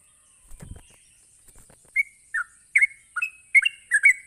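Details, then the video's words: Sooty-headed bulbul in a provoking 'ropelan' song. A dull thump and faint rustle open the clip, then clear bubbly whistled phrases start about halfway and quicken, slurring up and down, with a steady high hiss. "Cukup Sekali Pancing Trucuk apapun bakal Nyaut ngropel Emosi dengan suara Ropelan Trucuk ini"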